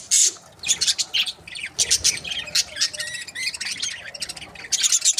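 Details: Budgerigar breeding pairs in a busy chorus of sharp, high chirps and scratchy warbles, bursts coming in quick clusters with loud, bright notes at the start and end.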